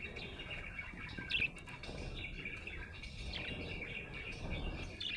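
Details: Budgerigar described as happy, keeping up soft, scratchy warbling chatter with a brief louder squeak near the start and faint clicks throughout.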